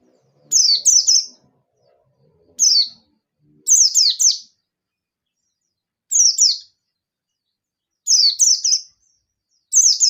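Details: Oriental white-eye of the local yellow-breasted type singing the excited ngalas nembak style meant to provoke rivals: brief, piercing descending chirp bursts, single or paired, scattered through ten seconds, with a faint low murmur early on.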